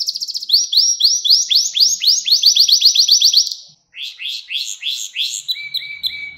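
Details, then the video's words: Caged canary tutor song: long runs of fast repeated rising notes in a rolling trill, a short silence, then looser rising chirps and a flat whistle at the end. "Ders Gibi Kanarya Sesi Ve Ötüşü"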